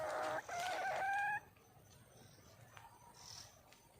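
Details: Wild female red junglefowl calling for a male: a loud, drawn-out harmonic call lasting over a second, with a slight upward step partway, followed by quieter faint chirps and rustling in the background.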